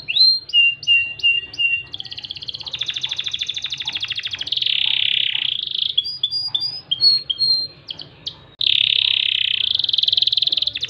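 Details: Crested canary (kenari jambul) in loper style with cengkok gurih phrasing, moving through choppy high chirps, long buzzy rolls and rapid trills, with brief pauses between passages. Faint low hum in the background.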